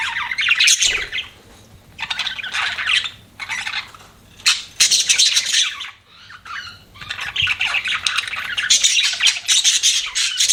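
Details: Chirping of pet budgerigars: bursts of harsh, buzzy warbling chatter broken by short pauses, several birds overlapping in a busy flock chorus.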